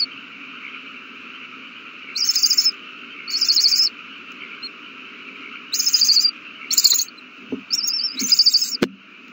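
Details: Young owls being fed a large meal, March 27, 2020. Rasping hiss-like screeches come in irregular pairs with pauses between, and soft thuds and a single sharp click appear toward the end.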